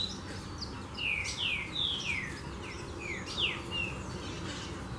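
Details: Saffron finches gathered in large numbers at a small farm after layer-hen feed was thrown out: overlapping short, bright, downward-slurred chirps, several per second and irregular, with a low background rumble.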